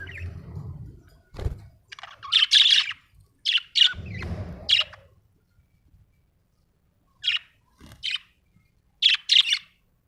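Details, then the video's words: Happy pet budgerigar from Australia giving loud, harsh chirps in short groups of two or three, separated by pauses, with some low thumping and handling noise early on. "Happy budgie chirping sound"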